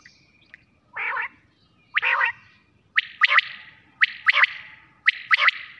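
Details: Quail calling at night: several harsh, buzzy bursts, then sharp, clipped notes given in quick groups of three, each group about a second apart.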